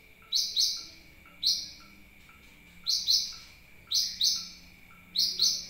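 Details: Sunbird call used as a lure for other birds, with bright chirps often paired in quick doubles and spaced about a second apart, a constant faint high tone running underneath.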